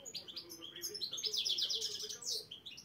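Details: European goldfinch, black-headed form, singing chir-chir at qualifying rounds in Saint Petersburg; a short, loud outpouring of rapid jingling notes and a bright rolling trill in the middle, over a soft low hum.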